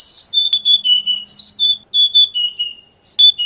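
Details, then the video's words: Oriental magpie-robin training song for morning or evening use with caged birds: sweet level whistles interspersed with higher slurred swoops, delivered in short bursts, with a faint low hum early on. "SUARA BURUNG - Masteran Terbaik Kacer"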